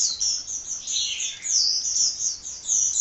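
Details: Sunbird, locally called kolibri, in nonstop song: a continuous stream of very high, sharp twittering notes with brief buzzy slurs, unbroken for the whole three seconds.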